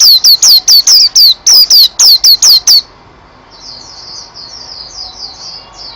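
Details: A white-eye delivers a fast run of shrill, downslurred whistled notes for about three seconds, then only faint high twittering continues.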